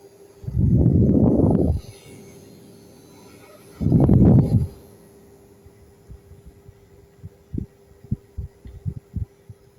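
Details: Two heavy low rumbling bursts and a steady hum, followed by scattered soft taps and knocks, with no animal voice heard.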